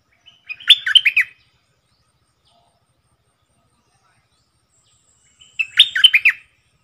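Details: Decoy bulbul, caged, delivers two matching short phrases of bright, bubbly whistled notes in doubled style, each under a second long and about five seconds apart, with silence between.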